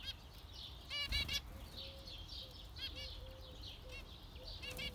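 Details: Brief nasal zebra finch calls scattered across five seconds, a loud cluster just after one second, then softer single beeps, over low rumbling background noise.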